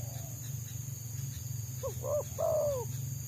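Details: Spotted Dove (tekukur) in the wild, coveted by bird trappers, delivering one phrase of its rapid 'selang nguku' song: clipped rising notes then a sustained, sinking coo, over a constant low rumble.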